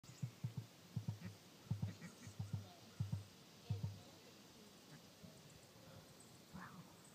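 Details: Common ostrich (Struthio camelus) gives a deep, throbbing booming roar of low pulses, often in quick pairs.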